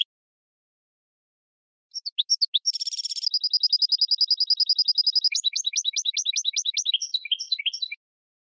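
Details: Song of a goldfinch × red canary hybrid, used to train birds: a few scattered chirps, a buzzy burst, a long steady high trill, then a run of rapid falling double chirps fading out.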